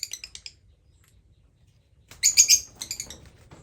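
Lovebirds give shrill, high chattering chirps in quick bursts, a short volley at the start and a louder cluster near the end.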